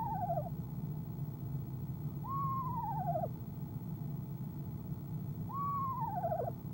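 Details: Three shaky, falling trills roughly three seconds apart from a female eastern screech owl in her nest box, afternoon into evening of 25 January 2015, before departing at 6:10pm CST; a soft background hum continues throughout.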